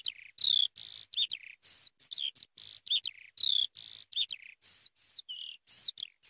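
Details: Song of a Eurasian skylark: long, bright sustained whistles alternating with quick downslurred and warbled notes, high and continuous, delivered in a steady flowing run with no other sounds.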